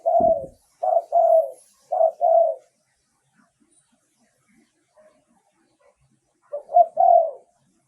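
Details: Spotted dove coos used as a lure for wild doves: three mellow phrases of short notes and a longer falling coo, then a few seconds of near silence before a final phrase.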